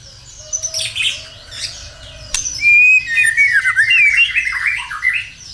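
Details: White-rumped shama singing to lure other birds into singing, opening with a low steady whistled note, then a fast run of high twittering, buzzy and slurred phrases after a sharp click.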